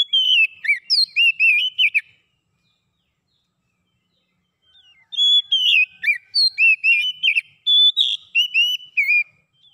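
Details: Oriental magpie-robin song meant to restore a silent bird's singing: two bursts of clear, varied whistles and sharp chirps, separated by about three seconds of silence, the second phrase longer and richer.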